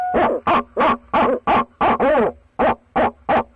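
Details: Male barred owl at a nest box calling for his mate: a rapid series of about ten loud, hollow hoots, roughly three per second, one longer wavering hoot in the middle. Close and clear.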